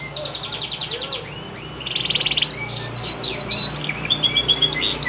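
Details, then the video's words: Song of a Yorkshire canary: a quick series of descending chirps, then rattling buzzy trills and sharp whistled notes repeated in short bursts, over a soft low background hum. "KENARI YORKSHIRE POSTUR MAKNYOS GACOR"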